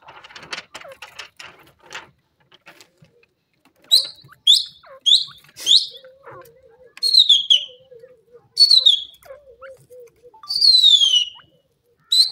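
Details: Grey francolin (grey teetar) calling: a run of sharp, high, downward-sliding whistles repeated roughly every half second to second, building into longer strained notes, with faint ticking sounds early and soft low chatter underneath.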